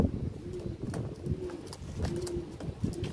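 A fantail pigeon gives low, throaty coos, soft rolling notes repeated about every second, with faint rustling and light outdoor background.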